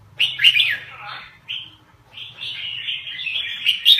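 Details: Rapid warbled song of a Lao red-whiskered bulbul, a quick slurred whistling burst followed by a longer chattering, wavering phrase of bright notes, with a low background hum.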